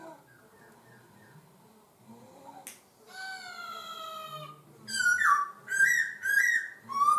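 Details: Laughingthrush changing its voice mid-song: after a quiet start and a sharp snap, a long sliding whistle, then loud swooping rising notes repeated about once a second.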